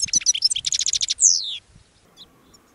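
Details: Caged European goldfinch calling out to wild goldfinches among thistles: a rapid series of bright, tinkling twittered notes for over a second, then a single descending buzzy slur, followed by quiet.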